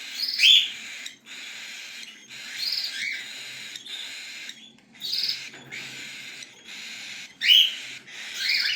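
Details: Begging cockatiel chicks: long hoarse hissing calls alternating with a few piercing squeaks, rising and falling in bursts with short silent gaps.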